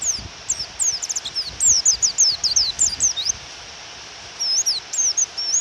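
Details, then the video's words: A female pleci, or Japanese white-eye, gives quick sharp descending chirps in a dense run, falls quiet for a moment, then adds a few more notes; continuous rain noise underneath. "Pleci Suara Memanggil Lawan dan Suara Hujan"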